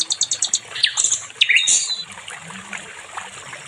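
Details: Nightingale song used to train other songbirds: a quick burst of high clicking notes, then sweeping whistled slurs and a brief descending flourish fading into quieter background.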